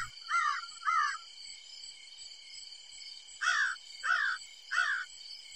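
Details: A crow in autumn in eastern North Carolina gives five harsh, hoarse caws, two close together, then after a pause three more, over a steady, high buzzing cricket chorus.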